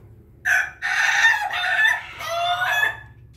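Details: Bangkok rooster crowing after drinking: a harsh, drawn-out crow in several segments over about two and a half seconds, with a short opening burst followed by longer hoarse phrases and a descending finish; faint low hum behind.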